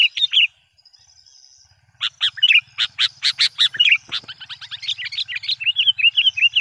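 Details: A sooty-headed bulbul used as a lure bird gives a rapid run of bright, chirping notes, two or three a second, with short whistled phrases and a faint low hum, calling to provoke wild bulbuls.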